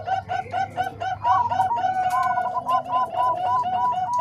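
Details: Combined song of Bangkok and Cemani Kolbuntet zebra doves, recorded to train other doves: a rapid series of rounded, bubbling coo notes, about four a second, several birds overlapping over a faint hum.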